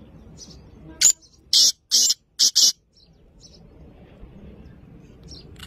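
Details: Black francolin calling: one sharp note, then a tight series of four loud, harsh, broadband rasping bursts over about two seconds, with faint distant chirps before and after in a quiet setting.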